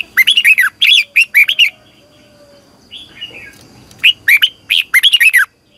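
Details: Morning training song of a red-whiskered bulbul, delivered in the long double twisted style as a lure for competitive singing. Two loud phrases of quick, rolling whistled notes, separated by a quieter buzzy note in a gap.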